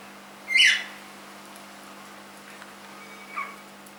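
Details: Single short, loud, harsh call from a three-month-old pet cockatiel, then near silence broken by one faint chirp near the end.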